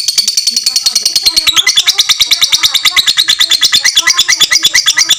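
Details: Long ngekek from a fighter lovebird used to train other lovebirds: a rapid string of squeaky, strident notes about three per second, the tone sweeping lower then brightening again.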